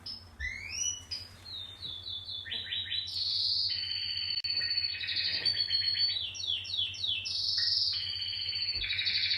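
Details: Pet canary singing a long continuous song of rapid rolling trills and sweeping whistled notes, shifting between buzzy high rolls and clearer tones, over a steady low electrical hum.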